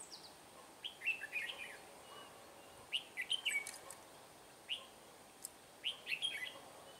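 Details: Red-whiskered bulbul decoy singing during bird trapping, 21 March 2017: short bursts of quick, warbled whistling notes, several phrases spaced a second or two apart over a steady hiss of outdoor background noise.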